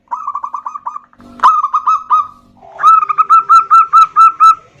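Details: Zebra doves answering each other, a female calling to a big-voiced local male: rapid rolling cooing notes, a sharp click and a brief pause, then a steady run of louder, evenly paced cooing notes.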